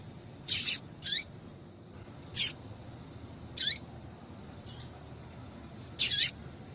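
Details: A female Double-collared Seedeater gives calls meant to get a male singing: six sharp, high, buzzy chips at uneven intervals, some doubled, over low constant hiss.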